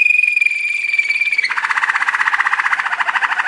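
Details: Waterslager or Malinois song canary singing a training song: a steady high whistled note glides into a rapid bubbling low roll like rolling water.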